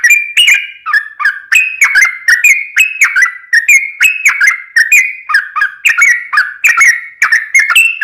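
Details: Yellow-vented bulbul singing steadily, a lure sound meant to draw other birds: a continuous flow of liquid, warbling notes with sharp clicky starts, each phrase dipping then levelling, repeated without pause.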